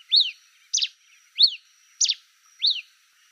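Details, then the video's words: Red pileated finch song: five short, high notes in about three seconds, alternating between a sharp downslurred chip and a quick doubled stuttering note, evenly spaced and sung against near silence. "O CANTO DO TICO TICO REI"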